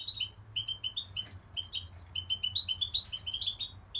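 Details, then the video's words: Goldfinch singing with a steady stream of short, high, slurred chirps in quick succession, over a low background hum. "Goldfinch singing"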